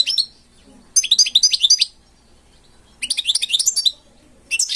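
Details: Pet European goldfinch in song: quick liquid twitters and trills in dense one-second phrases, four phrases with clear silent gaps, bright and high-pitched throughout.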